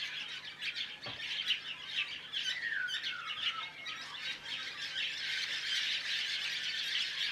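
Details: Overlapping squawks and scratchy chirps from a big mixed woodswallow flock, mostly White-browed with a few Masked, forming a steady noisy wall of calls with one brief falling whistle.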